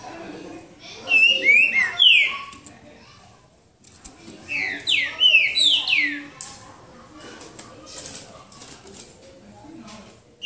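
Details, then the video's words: Green-winged saltator, boca mole song type, singing in a duel at João Monlevade: two bursts of fast, overlapping downslurred whistles repeated in series, separated by a pause, with faint voices and rustling afterward. "Trinca ferro boca mole disputa"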